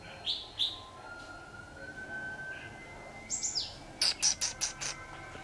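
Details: Red-whiskered bulbul, a caged decoy singing to lure wild bulbuls into a trap: two sharp high chirps, a long thin level whistle, a few more swept notes, then a quick burst of five or six loud clipped notes.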